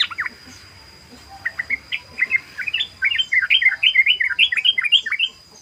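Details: Trucukan, or yellow-vented bulbul, in ropel song: a few spaced chirps build into a quick run of rising, bouncy whistled notes that grows fuller toward the end, over a faint electronic hum.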